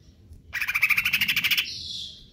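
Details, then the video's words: Cucak ijo, or Greater green leafbird, giving a konslet kejer nembak phrase: about a second of rapid evenly pulsed rasping chatter sliding into a thin high whistle. "cucak ijo konslet kejer nembak"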